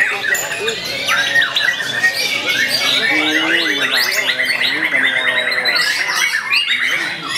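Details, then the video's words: Young, privately kept white-rumped shama (murai batu) praised for its hard-working, energetic singing: a dense, unbroken stream of varied whistled sweeps, rapid trills and chattering notes at steady loudness, with overlapping phrases filling the whole stretch. "MURAI BATU GIANT II KERJANYA NGOTOT MURAI MUDA"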